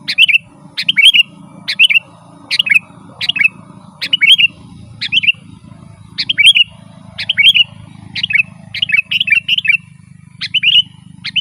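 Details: Sooty-headed bulbul song played to attract wild birds in the forest and to set house birds singing: a steady stream of short, bright two-part chirps, one after another for over ten seconds, with a faint background hum.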